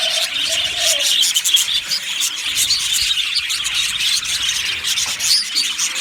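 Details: Happy aviary budgerigars chirping as a crowded, unbroken chatter of sharp high notes, with a faint low tonal sound in the opening second.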